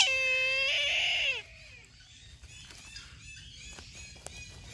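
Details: Brahminy kite giving one loud, drawn-out squealing call of about a second and a half. It is harmonic and strained, with the pitch sliding downward at the end. Fainter small birds twitter in the background afterward.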